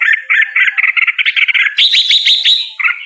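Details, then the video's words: Red-whiskered bulbul singing a fast series of chattering pulsed notes, then a higher, bright, sustained warbled phrase and a final lower chirp. "Red whiskered Bulbul Singing Call Sound | Red whiskered Bulbul Bird Singing"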